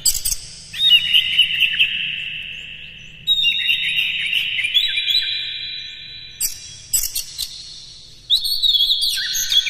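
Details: Oriental magpie-robin song for stirring up other magpie-robins: bright whistled phrases with buzzy, sliding notes and sudden high squeaky bursts, delivered in three or four loud sections.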